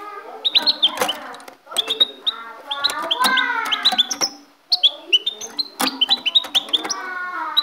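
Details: A European goldfinch, recorded in 2016, sings a fast, tinkling twitter of high chirps mixed with lower nasal, buzzy phrases, broken by two short pauses.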